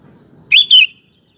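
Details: Sooty-headed bulbul lure song meant to make other males answer; a single loud whistled couplet, an upslurred note followed by a descending one, then silence.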